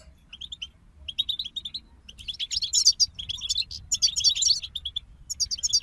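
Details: Goldfinch group song opens with sparse, evenly spaced high chirps, then builds into a continuous bright twittering stream rich in tinkling, buzzy notes. Faint background hum.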